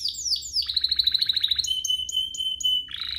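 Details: Short canary phrase from a lure recording for rousing other canaries: two falling whistles, a fast pulsed trill, rhythmic high pips over a steady pure whistle, then a buzzy roll.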